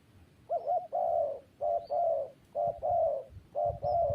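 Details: Spotted dove repeating its coo phrase three times, a short wavering note followed by a long, full, slightly descending coo, with low thumping noise underneath.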